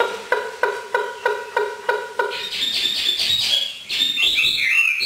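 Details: 'Hót thả' free song of a trained Hwamei from northern Vietnam: a row of even, clipped notes about three per second, then rich, varied whistling that grows louder.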